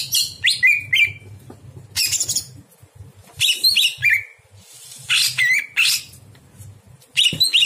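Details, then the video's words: Greater green leafbird night song for training other birds: scattered bursts of harsh chatter each ending in a short whistled note, separated by pauses, over a low hum. "masteran cucak hijau di malam hari"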